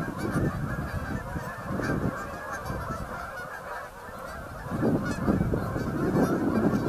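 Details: Hundreds of Canada geese gathered on Boegel Pond on November 30, 2012, making a dense, continuous chorus of overlapping nasal honks with no gaps. The honking swells louder in bursts near the start and again toward the end.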